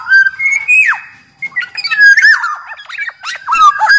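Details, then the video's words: Energetic kepodang (black-naped oriole) song used to stimulate silent birds: a clear rising whistle ending in a steep downslur, a short pause, then a quick jumble of squeaky, scratchy and whistled notes. "Burung kepodang gacor SUARA cocok buat PANCINGAN MASTERAN SUARA PIKAT TERAPI podang agar cepat gacor"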